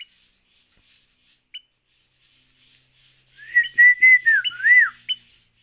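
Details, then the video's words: Adult sooty-headed bulbul giving chick-like calls: a few isolated short high notes, then a loud burst of clear whistled, sliding and looping notes in a quick jumbled phrase, ending with a short sharp note. "Tilang Tua suara Anakan Kutilang"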